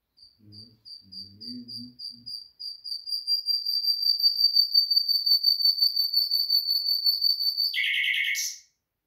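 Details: Common nightingale from Afghanistan singing a long series of pure, high whistled notes that start as separate pulses and swell into a loud crescendo over about seven seconds, ending in a brief harsh rattling burst; faint low sounds at the start.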